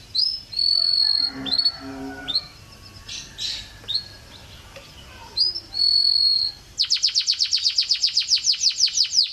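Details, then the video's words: Canary song from an Indonesian training (masteran) compilation of champion birdsong: whistled notes around high pitch, then a fast, even run of sweeping repeated notes filling the last seconds, with faint lower sounds underneath. "Suara Burung Kenari"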